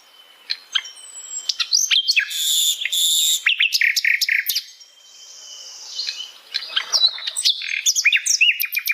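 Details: Asian brown flycatcher singing in its natural habitat: a dense, varied song of thin high whistles, sharp chirps and rapid buzzy bursts, with pauses and a quieter stretch midway before the twittering resumes.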